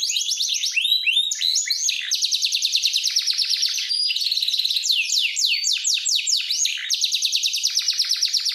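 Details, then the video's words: Canary training song: a loud, continuous run of rapid high trills and rolls, quick sweeping notes repeated many times a second, with brief changes between tours and no other sounds. "Powerful canary training song"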